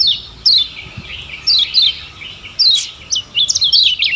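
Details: Lombok lemon-bellied white-eye singing as a tutor recording: scattered high, downward-slurred chirps early on, building into a quicker cluster of twittering notes near the end.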